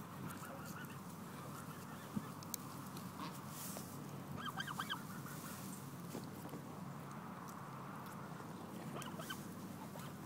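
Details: Hungry Canada goose giving a few short, nasal, harmonic honks, a small cluster near the middle and a single one near the end, over a steady low rumbling background noise.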